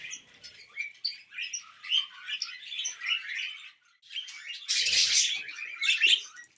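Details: Happy tamed budgie calls: scattered short chirps and squeaky twitters at first, then a louder, harsher burst of scratchy chatter near the end.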